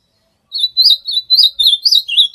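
An ultramarine grosbeak sings a quick, sweet warbled phrase of about six slurred notes, rising and falling in a high, bright run.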